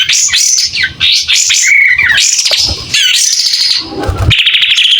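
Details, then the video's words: Clear-voiced White-rumped shama in full song with its tail spread, delivering rapid rich whistles and trills that slide up and down, ending in a buzzy rattling phrase. "Kapas tembak gacor buka ekor.. SUARA JERNIH"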